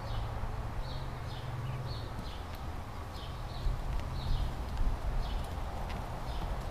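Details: Scrub jay family at the nest, a pair raising three chicks in 2017 in the same tree used in 2015: thin high chirps repeated roughly every half second over a steady low rumbling background.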